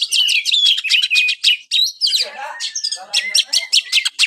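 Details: Oriental magpie-robin (kacer) in full song: a rapid, varied stream of shrill whistles, trills and buzzy notes, with sweeping slurs and harsher chattering phrases near the middle, delivered with barely a pause.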